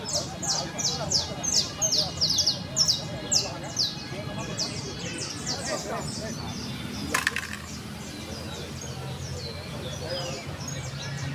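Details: A trilling canary (Serinus canaria) sings bright, high chirps in quick runs of a few notes at a time, loud at first and then softer, over a low background hum.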